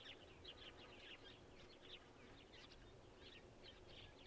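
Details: Masked woodswallows at Gluepot Reserve, South Australia, on 15 October 2023, recorded with a camera: faint, scattered short chirpy calls repeated through the clip over a steady background hiss.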